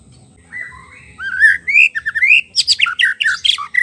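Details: Wild White-rumped shama from the forest, its song played to stir a non-singing shama: soft whistles swell into loud slurred rising notes, then a fast burst of harsh, rattling, varied phrases.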